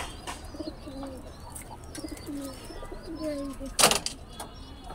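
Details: Domestic pigeons kept on a home rooftop give soft, low, throaty coos in repeated phrases, with a brief loud clatter near the end.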